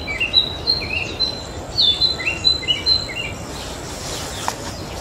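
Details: Young narcissus flycatcher male, still mostly brown, singing in a dark spot at Mizumoto Park, Tokyo, on 27 April 2023: clear, high whistled and warbled notes, several phrases within seconds, over steady background hiss.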